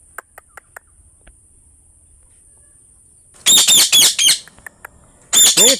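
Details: Green parrot: a few faint ticks, then a loud burst of harsh, grating squawks, followed by one more short screech at the end.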